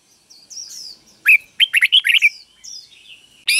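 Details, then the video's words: Red-whiskered bulbul, song played for young birds to imitate: thin high sliding whistles, then a quick cluster of bright warbled notes, then another thin whistle and a final sharp note. "นกกรงหัวจุกเบิ้ล 1000000% สอนลูกนก ก็อปติดง่าย"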